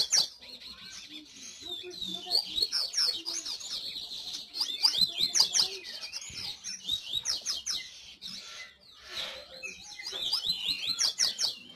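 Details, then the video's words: A long run of coleiro song: repeated phrases of rapid, high twittering and slurred chirps, with brief breaks between phrases. "Canto de coleiro"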